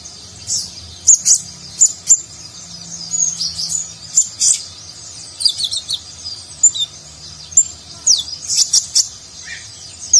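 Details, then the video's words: Konin in energetic nagen-style song meant as master material for contest birds; a long, lively sequence of high chirps, trills and downslurred whistles with hardly a pause. "Konin Gacor Isian Mewah Gaya Nagen, Cocok Untuk Masteran Burung Lomba"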